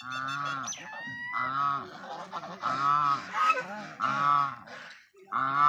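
Domestic geese give loud, nasal, trumpeting honks in quick bursts about once a second, several birds overlapping with lower grunting notes beneath.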